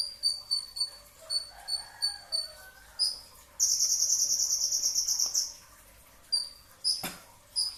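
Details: Brown-throated sunbird singing before dawn at sahur in rapid-burst style: quick high chips, then a dense fast trill of nearly two seconds, more chips, and a sharp click.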